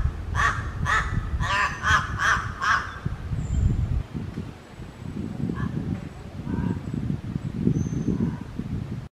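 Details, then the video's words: Crows from Raja Ampat, Papua: a rapid run of harsh, nasal caws in the first three seconds, then low rumbling background noise with a few faint calls. "Burung Gagak Papua di Raja Ampat"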